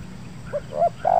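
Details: A trained spotted dove of about five months, kept for decoy calling and set on the ground for the first time, gives a stuttering 'gagap' style coo: three short mellow hooting notes, each slightly higher and longer, over low background rumble.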